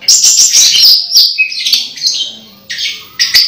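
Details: Orange-headed thrush about to moult, still singing: rapid high twittering and whistled notes in quick succession, a short pause, then more bright phrases.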